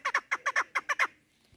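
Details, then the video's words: A female chukar partridge call used for hunting gives a quick run of about eight harsh, clucking chuk notes, roughly seven per second, then stops. "Овози модкабк"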